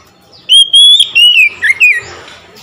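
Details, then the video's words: Responding to another magpie-robin, an oriental magpie-robin sings several loud whistled notes. They glide gradually lower, ending in a short dipping flourish, with soft hiss behind. "SEKETIKA MENDENGAR KACER LAIN LANGSUNG IKUT GACOR"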